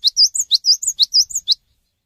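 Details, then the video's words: Cinereous tit in full song, calling other tits to join in: a quick 1.5-second run of high rising strokes alternating with level whistled notes, about nine notes, then silence. "GELATIK BATU GACOR SANGAT PANDAI MENGAJAK GELATIK BATU LAIN UNTUK IKUTAN BUNYI"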